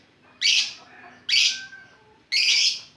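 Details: Lovebird in the ngetik style, used as a lure: three loud, harsh, shrill chirps spaced about a second apart against a low quiet background.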